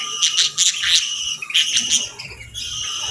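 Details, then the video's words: Pet budgies in morning light, eating and bathing, give a busy run of high chattering chirps in clustered bursts, with a thin steady whistle-like tone running underneath throughout. "Bird Sounds for Relaxation & Stress Relief | Real Budgies Enjoying Morning"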